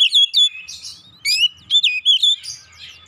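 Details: Kacer, the oriental magpie-robin, singing a lure recording meant to stir birds into song: quick bright whistled notes and slurred rising phrases with buzzy bursts, in clipped bursts.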